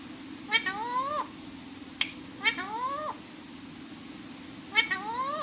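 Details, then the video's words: Talking parrot indoors: three drawn-out, nasal, meow-like utterances, each starting with a sharp click, then rising and bending down at the end, spaced about two seconds apart. A single click falls in between, over a steady low hum. "Parrot Ki Baten"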